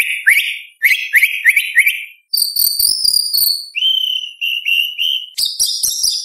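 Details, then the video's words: White-rumped shama in full-repertoire singing: a quick stutter of rising chirps, a sustained shrill whistle, steady mid-pitched piping notes, then fast high chatter. "Murai Batu Gacor Full Isian ~ Full Tembakan Materi Lomba"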